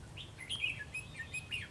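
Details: Red-whiskered bulbul singing solo at the top of a tree, fanning out as it sings a quick run of bright, liquid whistled phrases that rise and fall in pitch, with faint low background rumble.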